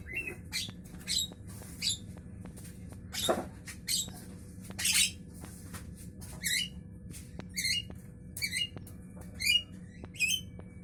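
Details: Javan myna in the morning, giving a long run of short, harsh, harmonic-rich squawky notes repeated about every half second, over a steady low hum.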